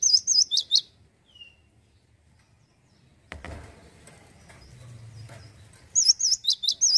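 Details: Male cinereous tit singing in two short bursts of fast, wavy, high notes, one at the start and one at the end, separated by a quiet gap with a thump and low rustling noise.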